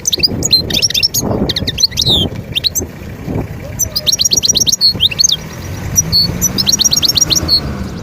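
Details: Wild European goldfinch singing in Skikda, Algeria, 2022: bursts of sharp twittering notes with repeated clear upward chips, separated by short gaps, over faint low traffic-like rumble.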